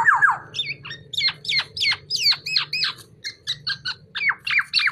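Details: Tame black-naped oriole singing actively. It gives a rapid run of sharp, down-slurred whistled notes, about three per second, bright and slightly harsh, over a low background hum.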